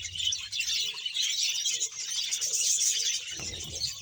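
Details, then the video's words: Budgerigar colony of about 100 pairs kept in Bahawalpur, many birds chattering together in a dense, continuous high warble of buzzy chirps and squeaks with no pauses. "budges sound"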